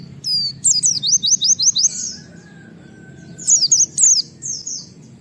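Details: Wild white-eye calling 'nembak wit wit' to provoke other white-eyes to call: high, rapid series of sharp descending whistled notes, about six in quick succession, then a pause and a shorter burst, over low background hum.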